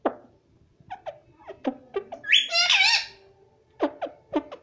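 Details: Chatty pet parrot indoors, known for saying "mummy" and "papa": a series of short, low, clucking syllables around a loud, raspy, squawking phrase with wavering tones, then more clipped syllables.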